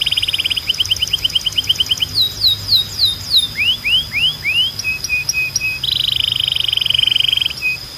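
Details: Singing Belgian canary: a fast stuttered trill opens, then slower falling whistles and rising slurred notes, a few short pips, and a sustained buzzing roll. Low hum behind.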